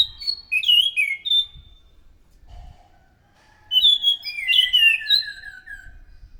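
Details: Orange-headed thrush in loud song, used as a lure for other thrushes: bright whistled notes with quick chattery ornaments, a pause, then a longer phrase ending in descending slurred whistles.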